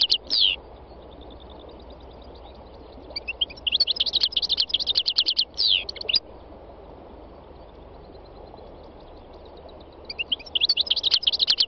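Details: Song of a wild European goldfinch (khalwi): an opening downslurred twitter, then long dense phrases of fast jingling, buzzy notes, a quiet gap with soft hiss, and another tinkling burst at the end.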